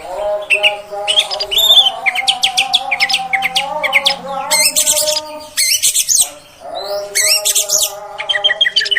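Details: Female oriental magpie-robin voice used to stir up males: a rapid, varied run of chattering whistles and harsh buzzy notes over a steady low humming drone that lasts throughout.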